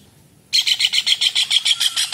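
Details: Kingfisher (tengkek udang) calling vigorously, a tutor sound for songbirds such as magpie-robins: after a short silence, a sudden loud rattle of harsh, clipped notes repeated rapidly and steadily to the end.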